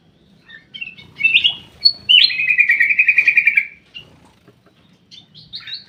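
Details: Black-crested bulbul kept in an aviary gives a few quick chirps, then a long rapid trill of evenly repeated bright notes lasting over a second, followed by scattered high chips.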